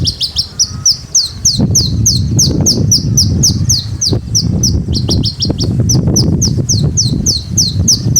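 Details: Caged Javan bush lark, described as singing actively ('gacor', 'ngleper'), delivering rapid high, downslurred notes repeated several times per second in a continuous run over a steady low rumbling background.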